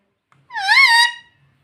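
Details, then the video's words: Household talking parrot giving a single drawn-out harmonic note lasting about seven tenths of a second, rising slightly then held steady, with nothing else audible. "Talking Parrot Mitthu Mitthu 😘 Bolne Wala Tota 🥰 Mummy Mummy Bolne Wala Tota"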